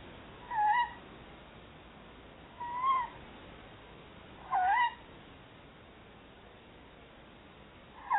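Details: Two tawny owls prospecting a nest box in Somerset, calling softly to one another; four brief wavering, slightly rising notes repeated every two to two and a half seconds against faint hiss.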